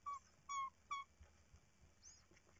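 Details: Tawny owl at its nest as the chicks get their third feeding, night of 14 March 2019; three short, pure-toned notes in quick succession, the middle one longest, then quiet background hum.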